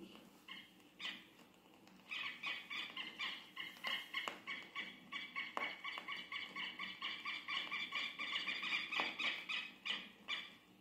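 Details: Southern Lapwing (quero-quero) in Brazilian open country, watching over its territory and marking the movements of strangers, gives loud, strident, harsh calls about four times a second in an insistent scolding run over a faint hum.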